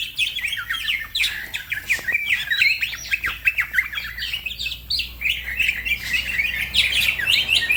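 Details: Green leafbird singing fast and lively as a training recording for other songbirds, with other birds joining in; dense run of quick chirps and slurred whistles, sliding up and down, almost without pause.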